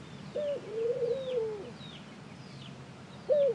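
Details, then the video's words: A ring-necked dove coos once fully, a brief high note then a long falling coo, and starts again at the end, while other birds give repeated thin downslurred whistles. "Ring neck Dove Calling"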